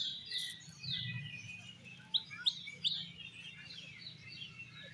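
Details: Oriental magpie-robin (kacer) at a songbird singing competition, performing in an 'exotic' style: three loud, sharp, high chirped notes about a third of a second apart, over a dense, softer chorus of other birds' twittering and a low background hum.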